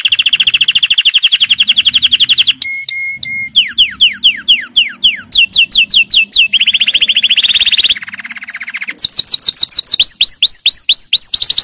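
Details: Canary training song, loud and continuous: rapid buzzy trills, a few clear held whistles, sweeping downslurred notes in quick series, rolling lower trills, and repeated hooked whistles toward the end, all sharply high-pitched.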